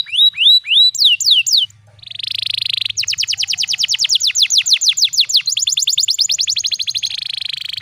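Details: Canary singing a pancingan with special cengkok, meant to teach young canaries: looping whistled notes, a short pause, a dense buzz, then a long accelerating trill of crisp sweeping notes ending in a buzzy rattle.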